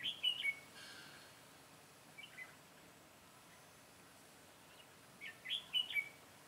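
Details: Decoy red-whiskered bulbul singing to lure wild birds during trapping on 22 September 2017: a quick phrase of bright whistled notes, a soft pause with faint chirps, then another rich warbled phrase of several notes.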